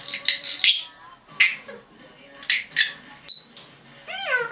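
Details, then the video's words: Indoor pet red-bellied parrot, female, aged 10.5 months, making clipped raspy noises in quick bursts, then ending with a wavering, slurred whistle. "Red-Bellied Parrot - Talking, Chatter, Noises, Whistling, Chicken SUPERCUT"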